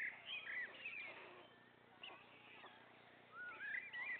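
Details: Three young white stork chicks at the nest as a parent feeds them, giving thin, mewing, whining calls that slide up and down, in clustered bursts at the start and again near the end, over a faint steady low hum.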